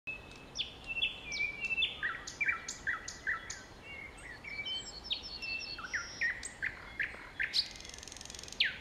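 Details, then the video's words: Thrush nightingale singing in Kiili on 15 May 2017 at 19:59: a rapid, varied run of sharp whistled notes, downslurred chirps and dry clicking rattles, phrases changing every second or so, with a buzzy high rattle near the end. "Ööbik Kiilis laulmas"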